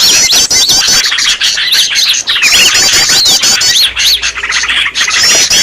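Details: Green leafbird giving a noisy call used to lure other birds: continuous harsh, high chattering with rapid looping whistled notes and scratchy trills, nearly unbroken across the whole stretch.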